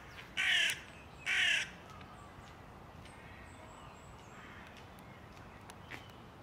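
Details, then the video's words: Hooded crow (Corvus cornix) in Tivoli Landscape Park, Ljubljana, 6 May 2024: two loud, harsh caws about a second apart, then quiet with faint distant birds. "Corvus cornix SIVA VRANA"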